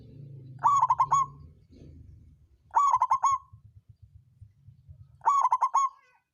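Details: Songgo ratu zebra dove, a local bird, giving lure song to raise rivals' breeding urge: three quick pulsed cooing phrases about every two seconds over a low rumbling background.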